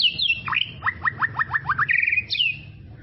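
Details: White-rumped shama song from tropical forest: a falling whistle, then a run of six quick downward-sweeping notes, a short buzzy trill and a final falling whistle, over a low background rumble.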